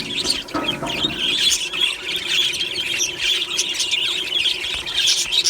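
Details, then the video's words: Morning chatter from a colony of aviary budgies, described as happy singing: many overlapping shrill chirps and squeals forming a steady high chorus, with a lower burst of squawking early on. "Beautiful Budgie morning happy singing and chirping sounds | Happy Budgie sounds"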